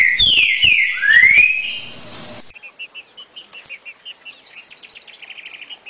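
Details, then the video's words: Green-winged saltator singing the "60 boi" song type meant for training young birds: loud, rich whistled notes sliding down then rising in the first two seconds, followed by rapid soft repeated chips and twittering. "TRINCA FERRO 60 boi pra treinar filhotes"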